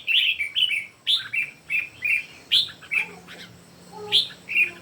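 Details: Red-whiskered bulbul, one of three birds singing in competition, gives short bright warbled phrases in quick succession, each a rising then falling slur, repeated roughly twice a second with brief gaps; a faint low hum underneath.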